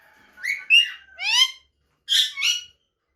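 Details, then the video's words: Female rose-ringed parakeet whose call is said to make the male frantic and search for her: a few rising whistled chirps followed by loud, grating harmonic squawks in two short groups. "هذا الصوت يجعل ذكر ببغاء الدرة مجنون ويبحث عن الصوت"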